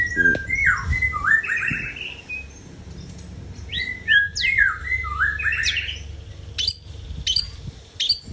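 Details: Long-tailed shrike song used to coax a reluctant bird back into lively singing: loud, rich tonal phrases with strong overtones, sweeping down and up in two bursts, then short sharp high notes spaced near the end; faint low hum behind.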